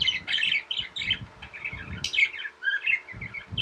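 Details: Tame budgerigars chatter in fast buzzy warbles and squeaks with a few sharp high notes, accompanied by low thudding handling sounds and a faint steady hum.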